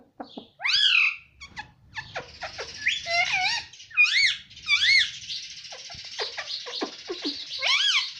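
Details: An Indian ringneck parrot talks in Hindi, repeating "mummy" and "mitthu": a fast string of squeaky, warbling, speech-like syllables mixed with high chatter, continuing without a break.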